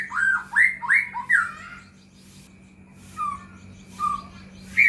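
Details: White-rumped shama lure song for caged birds: a quick series of loud slurred whistles in the first two seconds, then a few softer isolated notes, with faint background hum.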